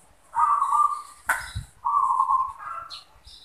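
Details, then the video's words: Kept zebra dove cooing: two mellow, purring trilled coos, each held under a second, separated by a sharp click and a pause. "Zebra Dove | Perkutut manggung"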